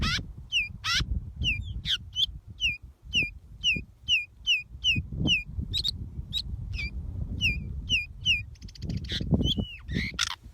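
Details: Decu (pied bushchat) caught by trapping, singing a run of short, sharp whistled notes, each dropping then flicking up, repeated about twice a second for roughly twenty phrases, with a rapid buzzy trill near the end over dull knocking and handling thumps.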